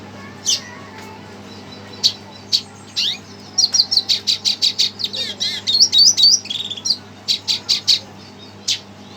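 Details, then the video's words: Worked-up red siskin reacting to a played recording: scattered single chirps build into a fast, high twittering outburst of buzzy trills and slurred notes, then trail off into separate chirps, low hum throughout. "Red siskin emosi dengar suara BT"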